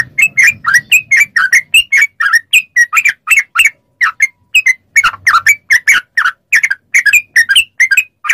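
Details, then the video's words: Continuous yellow-vented bulbul song for training captive bulbuls to respond: a long, even stream of quick bubbly double notes, lively and unbroken, with a faint low rumble at the start. "MASTERAN TRUCUK CEPAT ROPEL||SEMUA TRUCUK LANGSUNG NYAUT||TERAPI TRUCUKAN"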